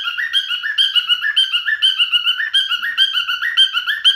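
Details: Singing male cockatiel delivering rapid, rhythmic chirping notes that switch between a lower and a higher tone, steady and unbroken throughout, clean background.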